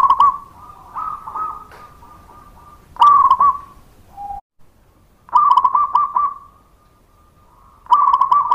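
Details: Local zebra dove song used as a lure to make other doves answer: bursts of rapid stuttering coos near one pitch, trailing into a long steady hum, repeated about every three seconds, with a brief lower note between.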